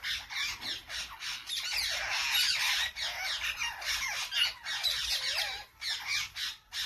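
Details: Loud flock of parrots with harsh, grating squawks and chatter, rasping calls overlapping densely, a descending whistled call near the end.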